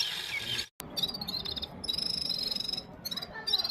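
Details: Red-fronted serin (gulsar), one bird against five singing in turn, phone-recorded: bright buzzy high twitters with a short silent break, then rapid repeated metallic notes and a strained buzzy phrase, over low background rumble.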